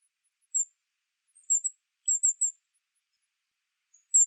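Western Spindalis giving very high, thin notes, single and in quick pairs or triplets, spaced irregularly over a few seconds against a silent background.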